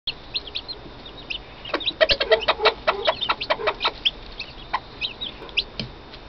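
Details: Chicks cheeping: rapid, high, sharp peeps from several birds, thickest in the middle seconds and repeated nearly twice a second, with a quieter background of scattered peeps.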